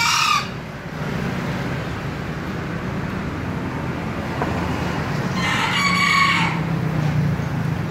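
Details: Green junglefowl crows twice: the tail of one cut off at the start, then a full hoarse two-part crow about a second long, with a low rumble throughout.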